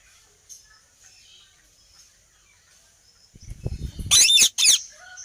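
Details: Two loud, harsh, grating squawks from a ringneck parrot close together near the end, preceded by a low rumbling sound and faint distant bird notes.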